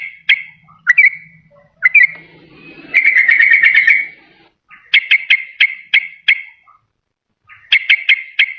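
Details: Yellow-vented bulbul lure call for wild birds and for quiet birds that will not sing: scattered whistled notes, then a buzzy rapid trill lasting about a second, then bursts of sharp repeated notes separated by short gaps.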